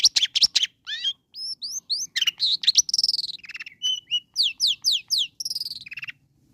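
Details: Long-tailed shrike song played to provoke a sluggish shrike into calling back: a fast, varied stream of high chattering bursts, rising whistled slurs and buzzy trills, about four elements per second and constantly changing, with a quiet background.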